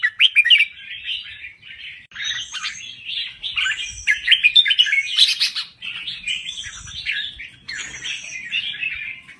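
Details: Red-whiskered bulbul of Thai origin, a kept songbird in full song: dense chattering warbled phrases, bright and quick, in bursts of one to two seconds with short pauses between.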